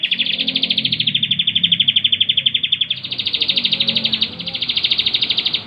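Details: Chatty Bar-winged prinia used as a model for training songbirds, delivering a sustained fast buzzy trill of evenly pulsed notes, about a dozen per second, with one brief break midway.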